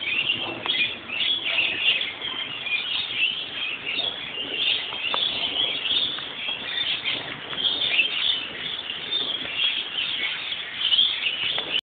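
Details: A flock of lorikeets gathered at the top of a neighbouring gum tree in a central city location in Australia keeps up a constant shrill, screechy chatter of overlapping high calls, with light rain faintly beneath.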